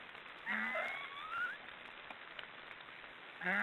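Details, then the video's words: Black storks snoring, one wheezy, upward-sliding squeal with a low nasal base, a quiet stretch, then the start of another rasp. "Black storks are snoring"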